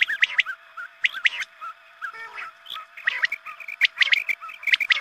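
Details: Quail calling, played at dawn prayer time to attract quail: paired sharp chirps, softer gaps, then a run of quick repeated twittering notes.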